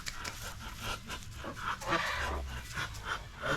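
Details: A Muscovy duck gives rapid breathy, hissing huffs, several each second like hoarse panting, with people talking quietly nearby.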